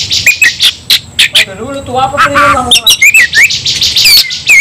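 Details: Oriental magpie-robin singing in fighting mode, described as going wild and fighting persistently with full emotion; loud burst of rapid sharp chips and bright whistled slurs, with a lower harmonic buzzy phrase in the middle.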